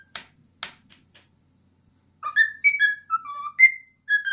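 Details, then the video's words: Pet cockatiel, a ten-year-old male, performs the Addams Family theme indoors; two finger snaps open the clip, then after a silence come bright whistled notes rising and falling through the tune. "Cute bird singing Addams Family theme song"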